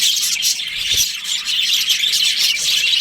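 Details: Budgerigar colony in breeding season producing a dense, even wash of high chirps and twitters with scattered squeaky notes, many birds calling together.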